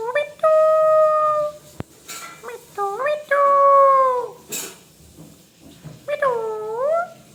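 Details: Pet talking parrot giving voice-like phrases: a long, steady, harmonic tone, then a string of short rising and falling syllables, and a final drawn-out swooping phrase, with quiet pauses between.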